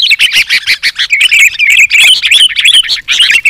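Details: Begging chatter of sooty-headed bulbul nestlings, assembled as a lure track: a fast, irregular stream of squeaky, bending chirps from several overlapping chicks, about three notes every second.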